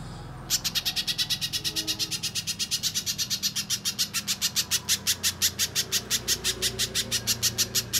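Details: Little spiderhunter singing in gacor style, used as a lure and master recording for contest birds: after a brief pause, a long, fast run of sharp, high, dry chip notes, about three per second, steady throughout.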